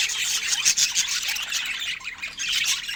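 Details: Several pet budgies during fruit feeding time chirp and squawk in quick succession, producing a dense, bright warbling babble with short sharp notes.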